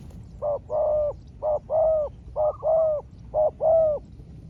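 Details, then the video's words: Spotted dove calling back and forth with a small-voiced wild rival: four clear coo phrases, each a brief note then a longer resonant one, repeated about once a second against a quiet, low background hum. "เสียงนกเขาใหญ่ เจอนนกป่าเสียงเล็กคูดีคูสู้กันอยู่นานกว่าจะติดแลกกกันคนละทีทีีลุ้นมันเลย"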